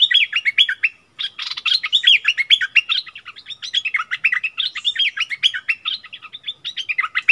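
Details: Bulbul quarrelling in song with a wild bird, 27 March 2021; an almost unbroken stream of lively, bouncing warbled notes, with one brief pause near the start and a harsher burst just after it.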